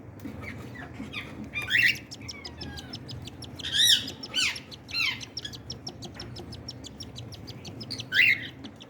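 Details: Cockatiel chicks being fed by their parents: scattered scratchy, rising squeaks and short buzzy cries at intervals, amid constant rapid ticking and low background hum.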